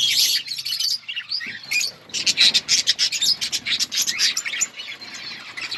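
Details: Budgerigars chirping in an outdoor colony: dense, bright, rapid chirps and warbling chatter from many birds, with short quieter gaps between bursts.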